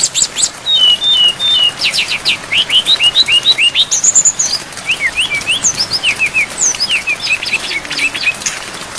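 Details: Brown-chested jungle flycatcher song rich in mimicked phrases, kept as a training recording for songbirds with rain. Rapid, varied high whistled and chirping notes, many short rising and falling slurs tumbling about three per second, with faint rain hiss.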